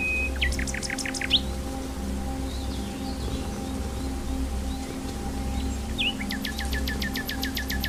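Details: A wild common nightingale sings two phrases separated by a long gap, each a whistled note followed by a rapid rattle of sharp clicks, over a steady low hum.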